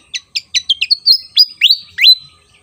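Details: Javan fantail in full song: descending high chirps speed into a trill-like run, then two sweeping rising whistles hold a long high note. The setting is clean and quiet.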